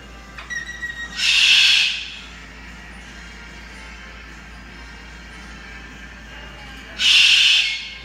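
A Triton cockatoo gives two harsh, raucous screeches, each under a second long and about five seconds apart, over a quiet indoor background.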